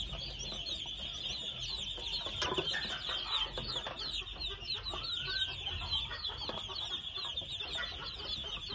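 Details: A steady, dense wash of thin falling peeps comes from two-month-old red junglefowl chicks, broken by a sharp click and a soft rising note midway.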